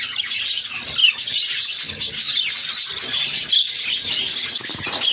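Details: A mother budgerigar feeds her six caged chicks. The chicks keep up a continuous rasping, buzzy begging chatter, high and unbroken, with a short sharper chirp standing out at about one second.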